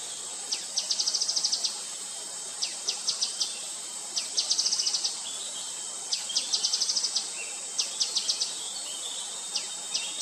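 Grey-headed canary-flycatcher giving bursts of rapid, high ticking notes every second or so, over a steady high insect hiss.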